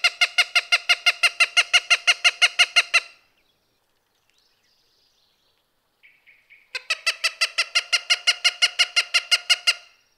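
Cooper's hawk giving two bouts of harsh, nasal kak-kak-kak notes, about three per second, separated by a brief pause with a few soft notes.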